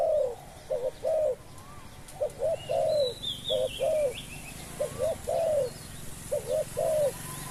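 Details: Spotted dove decoy cooing steadily to attract wild birds, with repeated phrases of two brief low notes and a longer descending coo, about five phrases. Soft distant bird chirps and faint background hiss.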